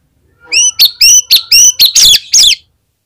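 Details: Oriental magpie-robin singing strongly, a recording meant to prompt others of its kind to answer: a short faint note, then about seven loud, bright, clipped phrases at roughly two per second, no other sounds.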